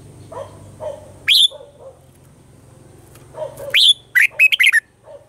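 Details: Red-whiskered bulbul, a caged bird, singing its morning song in a mature wild-style voice, used to train other caged birds: a loud, sharp, whistled note, then after a pause a quick burst of bright chirped notes, over softer low chirps and a steady low hum.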